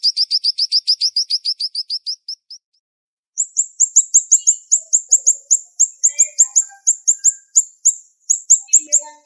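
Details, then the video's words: Sharp, fast siri-siri bird 'shots' used as tutor song: a quick run of high chirps that slows and fades, a short silence, then a denser series of bright downslurred notes repeated at a rapid, even pace. "Masteran Burung Siri Siri Tembakan Tajam Speed Rapat"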